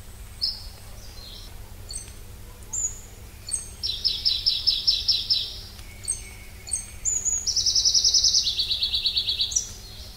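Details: Pallas's leaf warbler: scattered thin high call notes, then a strong fast trill, more short notes, and a final strophe of trills dropping in steps to lower pitch.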